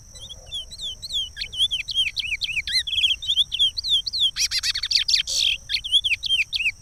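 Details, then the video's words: Regional song of a chestnut-bellied seed finch from Pará, used to teach chicks: a long series of clear, looping whistled notes, steady and repeated, with a brief buzzy rattling burst midway and a constant high electronic tone. "Curió canto Regional, canto para encartar filhotes"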